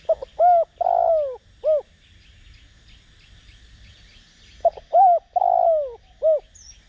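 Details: Decoy spotted dove cooing in the Đồng Rặc voice style, used to provoke other doves to coo. Two deep hollow coo phrases, each a short note, a drawn-out falling coo and a final rounded note, separated by a pause; faint insect hum behind.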